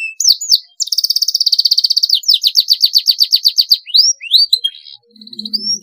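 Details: Canary in full rolling song, a training master recording: brief whistles, then a long rapid rattling trill that slows into repeated downward-sweeping notes, ending in rising whistles and a short soft low murmur.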